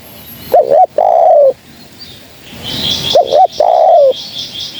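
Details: Spotted dove used to lure birds for trapping gives two phrases of a clipped double coo followed by a sustained soft descending coo. High chirping from other small birds is heard in the background.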